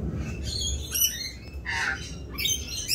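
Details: Raucous rainbow lorikeets in mating season, several harsh screeches and a lower grating squawk near the middle, overlapping calls from more than one bird.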